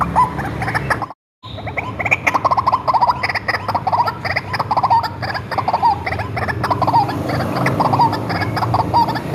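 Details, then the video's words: White-breasted waterhen, hand-reared, calling for luring: dense, continuous rasping croaks with a short silent break early on, then a regular pattern of ringing notes about once a second. "SUARA BURUNG RUAK-RUAK ASLI RAWATAN DARI KECIL"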